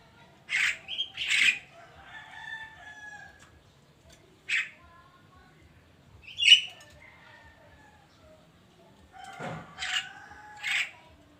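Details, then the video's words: Javan myna in the morning with scattered calls: paired harsh notes, soft whistled slurs, isolated squawks and a final cluster of rasping notes across eleven seconds. "kicauan burung kerak di pagi hari"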